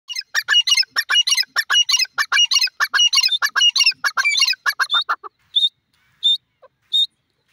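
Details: Francolin calling in a loud, fast series of harsh, clucking notes packed together for about five seconds, then three separate thin, high squeaky notes spaced a little under a second apart before silence.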